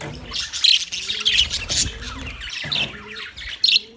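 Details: Budgies on 9 March 2024 give loud, harsh squawks and high chirps in bursts, with a faint low cooing note now and then.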